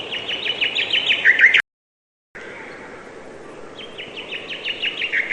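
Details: Rapid bird chirps repeated in quick succession with a short trilled burst, cut by an abrupt silence, followed by quieter background and a renewed sequence of chirps rising in loudness.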